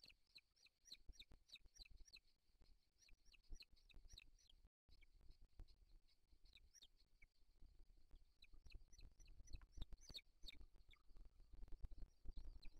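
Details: Wild booted eagle eaglets at the nest, 3 July 2023, as the father brings a bird and feeds them: a steady series of high, thin, downslurred squeaks repeated several times a second, over rustling and handling noises.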